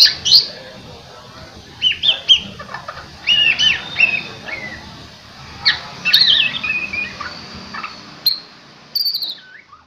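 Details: White-rumped shama under song training to sound gacor: clear separate bursts of bright whistled notes and quick slurred phrases, with brief quiet gaps between them and a high, thin ending.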